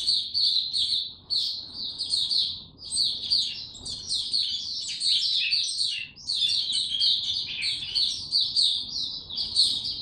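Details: Caged white-eye, recorded 29 April 2022 without health supplements, in a low-energy state: ten seconds of nearly unbroken high, scratchy twittering and trills, very busy and fast.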